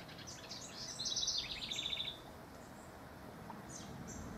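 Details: Rival house wren singing in June: a single quick bubbling phrase of rapid stuttering notes, starting high and ending in a trill of evenly spaced lower notes, about one second long, followed by faint distant chirps and low background hiss.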